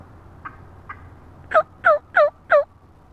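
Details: A female wild turkey at close range, March 22, 2017: two faint notes, then four loud, clear downward-slurred calls delivered in a quick, even rhythm.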